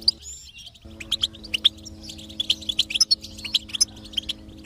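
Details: Goldfinch singing, played to motivate a quiet goldfinch into song: quick, high twittering chirps and sharp metallic notes in a dense run after a brief pause, with sustained low tonal music underneath.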